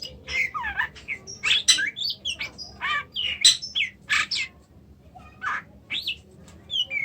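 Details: Kacer, the Oriental magpie-robin, in Indonesia: a busy run of rasping bursts, downslurred whistles and chattering notes following one another quickly for several seconds, then a short pause and a few more phrases.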